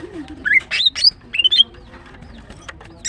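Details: Female greater green leafbird's morning song: rising whistles and sharp chirps in two short groups, followed by near silence.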